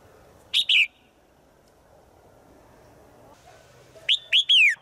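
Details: Female bird in the forest calling to the male: a pair of sharp high notes, a long quiet pause, then three bright notes, the last sliding downward.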